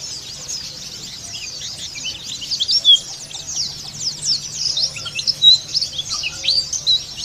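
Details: Oriental white-eye, a female singing in rough style, giving a dense, continuous stream of high twittering and chirping notes, fast and jumbled, with a steady low hum beneath.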